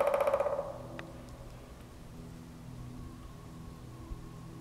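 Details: A male pileated woodpecker drums repeatedly over at least five minutes, around 5:30pm on 30 March 2013, along the West Branch trails at Stony Creek Metropark. Its resonant, hollow drumroll fades within a second, followed by faint taps.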